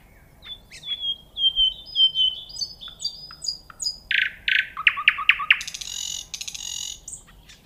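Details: Nightingale singing a varied phrase: a string of thin, clear whistles stepping gradually downward, then harsh buzzy notes, a quick burst of repeated chirps and a dry, high rattling trill; faint steady background hiss.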